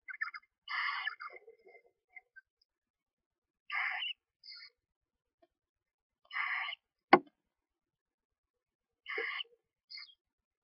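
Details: Newly hatched screech owl owlets, one to two days old, calling from a nest box during feeding by their mother; brief harsh chirps in small clusters every few seconds, with one sharp click partway through.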